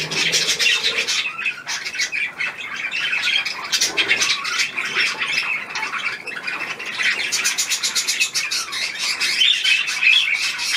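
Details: Pet budgerigars at the remains of an apple keep up a steady rasping, chirping chatter, with rapid clicking pulses and squawky notes from several birds at once, indoors.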